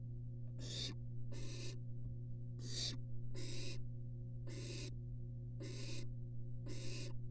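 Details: Three fluffy barn owls rest side by side in a nest box under a University of Florida nest cam. They give eight coarse, hissing screeches in about seven seconds, some paired closely together, with a continuous low hum.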